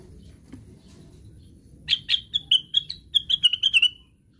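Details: Plaintive cuckoo calling in its 'ngigau' (sleep-talking) style: about eleven clear whistled notes in quick succession, sliding gently down in pitch and ending in a drawn-out tail, after a quiet start with faint background hum.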